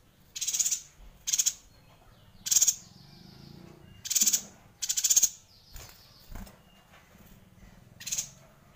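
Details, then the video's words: Yuhina singing energetically in a long rolling song (gacor ngerol), used to tutor white-rumped shamas. Seven sharp, high, buzzy chattering bursts come at irregular intervals, with fainter thin whistles between them. "Suara Yuhina Gacor Ngerol panjang"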